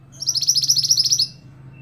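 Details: Mantenan, the scarlet-backed flowerpecker, in steady song used to tutor cage songbirds: a single fast, very high trill of evenly spaced buzzy notes for about one second, with a low steady hum beneath.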